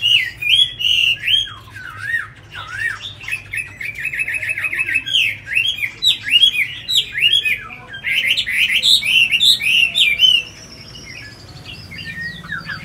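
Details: Tame caged Chinese hwamei in Hanoi, Vietnam, singing a long varied song: rapid whistled phrases, slurred rising and falling notes and quick trills tumbling without pause, fading to softer notes near the end.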